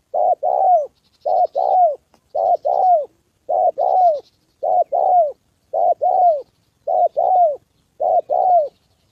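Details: Decoy spotted dove during a trapping session with a wild fighting male and a female dropping down: very regular paired coos, a short note then a falling one, eight pairs in a row, faint high chirps.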